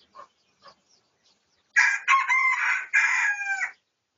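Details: Two faint clucks, then a strong, rough crow of about two seconds in three joined parts, from a Pradu-coloured red junglefowl recorded for research on 18 August 2023.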